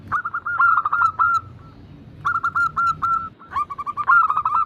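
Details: Cooing zebra dove used to prompt hesitant caged doves to sing, local and Bangkok crossing stock named. Fast strings of bright, clipped coo notes in two long phrases separated by a quiet pause, over faint low hum.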